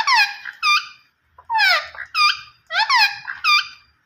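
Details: Green ringneck parrot giving loud, grating calls: each burst a falling screech followed by a shorter hooked note, repeated three times with pauses, faint low rumble beneath.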